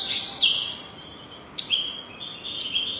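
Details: A European goldfinch sings in a lesson recording for young goldfinches: a loud, bright opening twitter, then a fainter run of liquid, rising and falling whistled notes.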